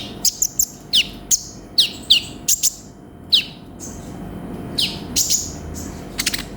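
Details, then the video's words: Energetic konin (sunbird) 'gacor' song with 'isian': irregular high chips and short falling whistles, some in quick pairs or triplets, separated by brief quiet gaps. "MASTERAN BURUNG KONIN GACOR FULL ISIAN"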